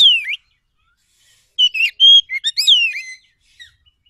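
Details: Wild forest Oriental magpie-robin song used as a lure to draw a reply: one falling whistle, a pause, then a burst of varied loud whistles, a steady held note and a long descending slur.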